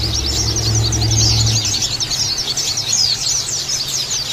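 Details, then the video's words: Many Oriental white-eyes (pleci ombyokan) in a therapy recording meant to set birds chirping coarsely: thick stream of quick, sharp, high chirps overlapping nonstop, with a low engine rumble during the first second and a half. "Terapi Pleci Ombyokan Jaminan Langsung Ngeriwik Kasar Dan Buka Paruh"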